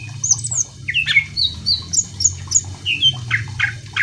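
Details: Greater green leafbird in lively song, used to provoke other birds into singing: a rapid run of clear, varied whistled notes, some rising and some falling, bright and high-pitched, repeating about once a second over a low background hum.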